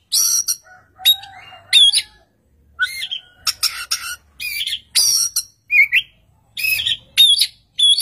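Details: Loud singing Oriental magpie-robin with another answering: a varied mix of piercing whistles, harsh squawky notes and twangy slurs in short separated bursts, and a faint lower hum early on.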